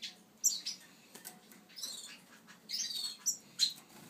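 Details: Pair of Yarrell's siskins giving brief high chirps and twittered notes in four or five scattered bursts, separated by quiet gaps with faint rustling.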